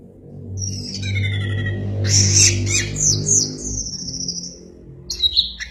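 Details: Caged orange-headed thrush singing in an excited, frenzied state: varied whistled and slurred phrases, several mid-high sweeps and a loud buzzy burst, over a steady low hum.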